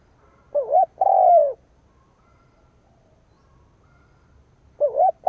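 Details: Decoy spotted dove cooing to provoke wild rivals: a short wavering two-part note, then a longer, steady, slightly falling coo. One full phrase, with the next beginning about four seconds later. Quiet background.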